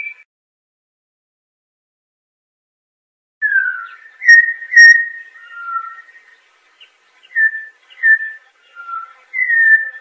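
Campo troupial singing rich, mellow whistled phrases, some sliding down and some level, in short bursts after a few seconds of quiet.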